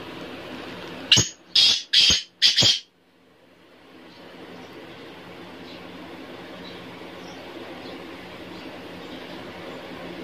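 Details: Black francolin (kala teetar) giving one loud, harsh phrase of four grating notes over about two seconds, the last two close together, followed by a quiet background hiss with no further calls.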